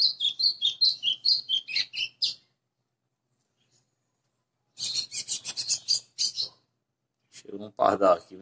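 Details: A captive White-throated seedeater singing vigorously on 20 April 2020 gives two bursts of fast, high, twittering whistled notes separated by a short pause; a man's voice speaks briefly at the end.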